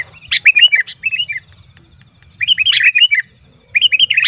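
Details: Noisy Sooty-headed bulbul calling meant to make wild birds gather, with lively runs of quick, bubbly chirped notes in several bursts over a faint low hum.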